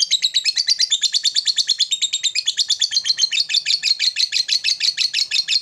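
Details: Lovebird calling rivals to provoke them, in the long ngekek chattering style: a fast, steady run of harsh, squeaky chattering notes, about three a second, continuing without a break.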